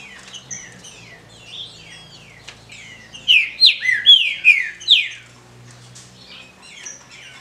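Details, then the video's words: Captive female green-winged saltator chirping, used to stimulate a male: high, squeaky chirps in a quick burst of about five notes midway, with softer chips before and after over a faint low hum. "CHIADOS DE FÊMEA ESQUENTE SEU TRINCA FERRO"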